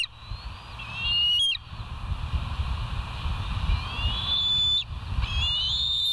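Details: Bald eagles at a West End nest, live camera, 07:12 on 09/06/2023: a few high, thin whistles that rise and then level off, separated by pauses, over constant low wind-like rumble and a steady hum.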